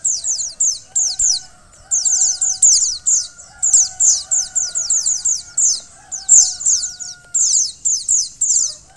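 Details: Female white-eye whose calls aim to rouse a male: long sequence of clipped, piercing chirp bursts, each of several quick down-sliding notes, repeating almost without break over a low steady hum.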